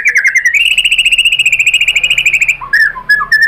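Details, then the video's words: White-rumped shama (murai batu) singing, played as a lure to make other shamas answer: a long, rapidly trilled whistle held steady for about two seconds, then short, clear, slurred notes. "bikin MURAI BATU jadi NYAUT GACOR BONGKAR MATERI TEMBAKAN ¦ PANCINGAN MURAI ¦ SHAMA BIRD"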